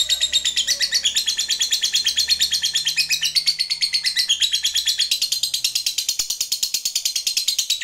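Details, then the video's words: Lovebird, a 'fighter' bird in full voice calling out to a rival, giving the long 'ngekek' chatter: a dense, unbroken run of high, buzzy trilled notes pulsing about three times a second for the whole stretch. "Lovebird GACOR MEMANGGIL LAWAN, HANYA Sesaat Dengar LB BISU dan GAGAP, Jadi GACOR NYAUT NGEKEK"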